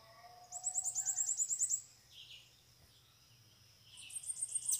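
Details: A wild bananaquit calls beside a caged bird during trapping. A steady, high, rattling trill lasts over a second, then soft thin notes follow, and a faint high chatter rises at the end.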